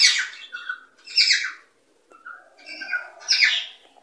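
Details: Harsh cockatiel squawks intended to stimulate breeding come in two paired bursts with short whistled notes between them, separated by a brief quiet gap.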